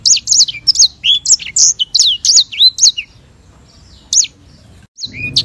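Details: African white-rumped seedeater (sanger) singing as training master audio, vigorous and clear: a fast string of high slurred chirps and whistles for three seconds, then near silence, one isolated high note, and a short final phrase.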